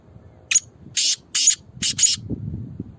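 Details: Black francolin of a good breed calling: five loud, rasping, noisy notes in a quick uneven rhythm, about one every half second, over faint low rumbling background noise.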